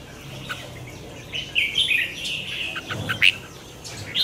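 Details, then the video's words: Red-whiskered bulbul in morning singing training, with a 'giọng xoắn' twisting voice, recorded as a lure song for training other birds: short bright warbled and whistled phrases, bunched between about 1.5 and 3.3 seconds, with a few sharp clicks and a faint low hum. "Luyện chào mào hót sáng, Giọng xoắn QUÁ HAY"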